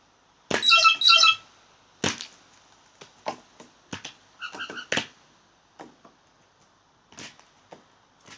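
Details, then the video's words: Blue jays making funny sounds: a loud, grating double squawk at the start, then scattered clicks and knocks and a softer nasal call near the middle. "Blue Jays making funny sounds"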